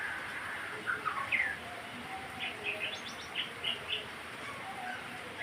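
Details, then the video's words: White-rumped shama song played to stimulate birds to sing: short whistled notes and slurred phrases, a first cluster then a run of five clear rising whistles in quick succession over a steady hiss. "kicaun murai untuk merangsang agar burung gacor"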